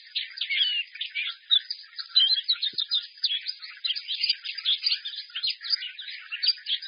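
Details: Caged white-eye held up in its cage, singing loudly with a bright, strong voice and many phrases, including the song styles called xiaoxu, swallow-call and sparrow-joy: a dense, continuous high twittering of quick chirps and trills without pause.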